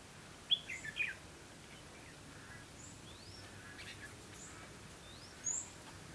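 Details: Red-whiskered bulbul recorded during trapping on 2 October 2016: one short, bright warbled phrase of falling and rising notes near the start, then brief faint chirps. Thin high chirps from other birds sit over steady background hiss.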